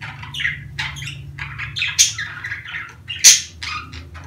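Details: Budgerigar mating-season chatter meant to spur breeding; a soft run of warbled chirps and squeaks with two loud shrill squawks, the last near the end, over a low steady hum.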